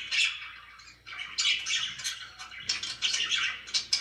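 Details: Several pet budgerigars chattering indoors, a continuous warbling jumble of high chirps, squeaks and rasping notes, swelling into louder bursts with brief dips between them.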